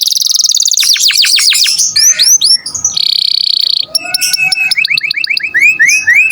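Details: Canary in full, vigorous song, played so other songbirds can learn it: a fast rolling trill, a series of whistled upward swoops, a flat buzzy trill, then repeated clipped notes and rising slurs.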